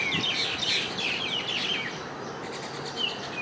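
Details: Common myna parents feeding their chicks at IIT Bombay; a burst of harsh, chattering high calls and wingbeats in the first two seconds, then quieter, with a few thin whistled notes near the end over steady background noise.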